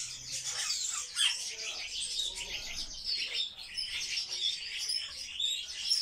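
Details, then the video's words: Kept sparrows, described as highly social birds, produce a continuous busy twittering of many overlapping bright chirps, steady in loudness with brief louder bursts. "Воробьи - Sparrow"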